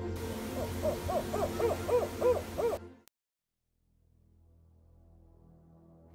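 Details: Spotted owl (Strix occidentalis), a species of concern that prefers old-growth forests, gives its distinctive hooting: a quick run of about seven mellow, rising-and-falling hoots, roughly three per second, then a low steady hum.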